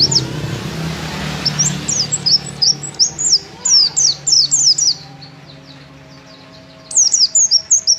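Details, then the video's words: White-eye singing vigorously: high, thin notes in quick, sharply sloping chirps, bunched in a burst of about three seconds, a pause, then more rapid chirps; low rumbling background noise at first. "Pleci Gacor"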